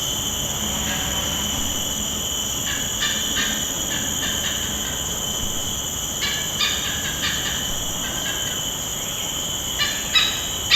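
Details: Critically endangered Oriental pied hornbills, likely a courting pair, give three short bursts of harsh, rapid cackling a few seconds apart over a steady high cicada drone, Sungei Buloh Wetland Reserve mangrove, Singapore, 17 May 2024; their calls disturbed a nearby Buffy Fish Owl.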